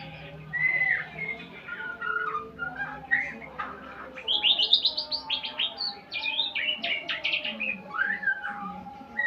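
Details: White-rumped shama in full song while learning sounds: warbled whistles building into a fast series of high, sharply falling chirps, some trilled, with a low background hum.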